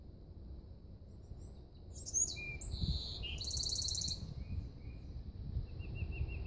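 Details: High-pitched song of a golden-cheeked warbler: a sharp slurred note, a longer buzz and a rapid rattling trill with a dropping note, then faint repeated wispy notes, heard against a steady low background rumble.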